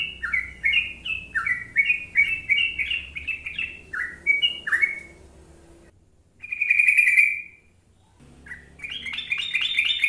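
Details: Energetic ropel panjang from a gacor sooty-headed bulbul: fast runs of liquid, down-slurred whistles, a short break, one sustained buzzy note, then another quick rising sequence of whistles.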